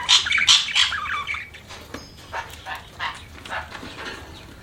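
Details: Budgerigars chirping: a busy run of short, bright, scratchy chirps and warbled notes, loudest in the first second and a half, then softer irregular chatter continuing throughout.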